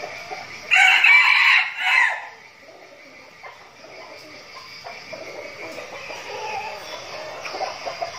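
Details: Flock of decoy red junglefowl in Bình Phước, Vietnam, practising before forest outings. A burst of crowing of about one and a half seconds is coarse and loud, then tapers off into faint clucks and a quiet, hissy background.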